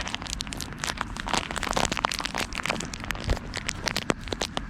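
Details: Dense crackling, crinkling and crunching noises fill the whole stretch, with no animal voice standing out.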